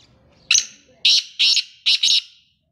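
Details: Calling male black francolin, known locally as kala teetar, gives a loud scratchy phrase: one long rasping note, two clipped harsh notes, then a fast double note that fades out. Faint low rumble before the first note.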